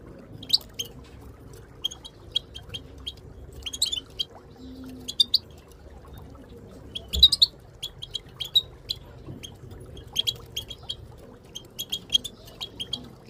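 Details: Moroccan goldfinches, including a female, giving tabtaba chattering calls used in training to stimulate silent goldfinches to sing; short sharp high chirps in loose clusters, some doubled, scattered across the clip over a steady low hum.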